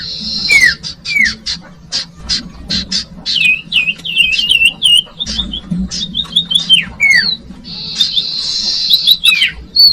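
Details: Common iora song for attracting young birds: repeated falling whistles and clicking notes, a rippling chain of looping whistles in the middle, and a buzzy trill at the end.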